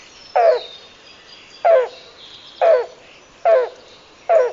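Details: Yellow-billed Cuckoo giving its hoarse cooing song: five hollow notes, each about a quarter-second long, spaced roughly a second apart; faint high insect hiss behind.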